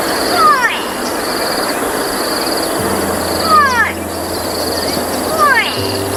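A Grey Go-away-bird gives three loud, nasal, downward-sliding 'gwaay' calls about two seconds apart, over a steady high insect-like buzz and a low hum.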